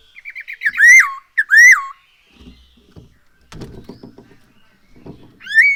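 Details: Black-throated laughingthrush song used as a lure to make birds sing: quick stuttering notes leading into two loud rising-falling whistles, then soft tapping and rustling before another whistle.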